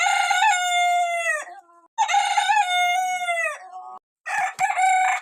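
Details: Young small roosters giving long drawn-out crows, two sustained harsh calls each about one and a half seconds ending in a falling tail, then a third crow starting.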